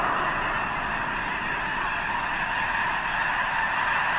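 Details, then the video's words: Snow Geese by the thousands gathered near the eastern end of Potholes Reservoir, probably staging before their journey north to arctic breeding grounds; unbroken chorus of nasal honks blending into a constant din. "Snow Geese overload at Potholes"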